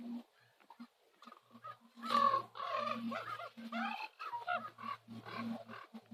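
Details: At sunset on Nose Hill, Calgary, common ravens keep up a run of rough, overlapping croaking calls, loudest in the middle, with a low steady hum in the background.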